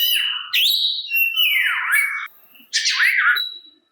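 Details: Oriental magpie-robin song aimed at provoking others of its kind to reply: mellow whistles, each sliding downward, in phrases spaced by short pauses, the last a rising and falling slur.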